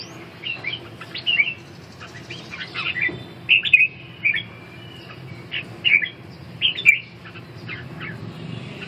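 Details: Red-whiskered bulbul in a song-dueling contest known as đấu ché; scattered bright, chirpy phrases and squawky notes in short bursts separated by pauses, fairly clear over a quiet background.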